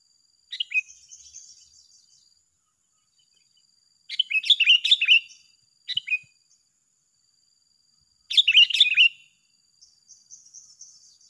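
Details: Sooty-headed bulbul, two birds singing against each other in an unfinished duel: short bursts of bright, bubbly chirped phrases with quick downslurred notes, separated by pauses of a few seconds, with a faint steady high hiss.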